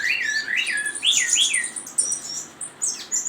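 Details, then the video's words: Chinese hwamei singing a rapid run of loud, varied whistled phrases, with rising and falling slurred notes that climb from mid to very high pitch, sung several times a second with no other clear sounds. "Suara Burung Wambi ( Hwamei )"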